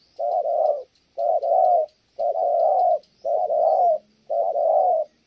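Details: Five long, rough spotted dove coos, each about two-thirds of a second, evenly spaced a second apart, as a female interrupts the cooing.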